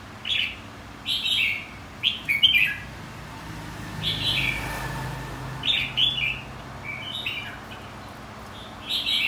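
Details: Contest singing of a white-cheeked red-whiskered bulbul, used to train birds for singing competitions. Quick chirpy, slurred whistled phrases come in clusters with brief pauses, over faint steady background hum.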